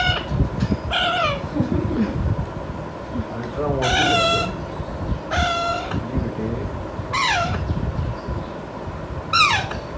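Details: Pet Alexandrine parakeet aged five months, still not talking, calling repeatedly: a series of coarse, descending squawks scattered over ten seconds, with muffled voices and room noise underneath.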